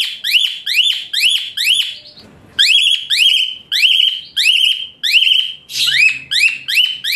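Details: Asian pied starling song used as a master recording to train other songbirds, described as harsh bursts with a shrill high pitch. Loud, strident rising notes with buzzy overtones, fired in rapid runs of about three per second, with one short pause.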